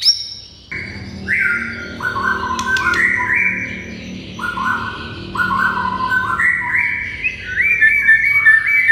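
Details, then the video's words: White-rumped shama singing to stir other shamas into answering, with flat, sustained whistled notes at shifting pitches, strung together, plus a few sharp higher notes and a busy low background. "MURAI BATU GACOR , DIJAMIN MURAI MANAPUN AUTO NYAUT DAN NGAMUK SEKETIKA"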